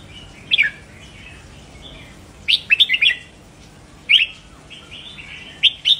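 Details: Caged red-whiskered bulbul singing to stimulate other caged birds: short emphatic bursts of sharp chirped notes every second or two, with softer warbling between them.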